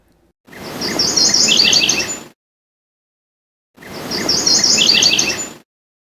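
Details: MacGillivray's Warbler, a bird of dense brushy forest edges and regenerating clearcuts in the western US and Canada, gives two bright two-part songs under two seconds each: quick repeated sweet notes, then lower, rougher sugar phrases; soft background hiss.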